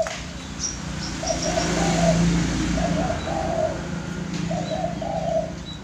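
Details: Caged zebra dove, one of three birds sharing an enclosure, giving an unusual call: soft, mid-pitched burbling phrases of two or three rolling notes, repeated roughly every 1.5 seconds, over a steady low hum and faint high chirps.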